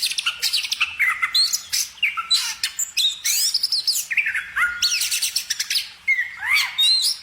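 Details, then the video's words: Bird song mixing harsh scratchy squawks with whistled slurs and rapid chips, delivered in a lively, restless stream. "kicau burung"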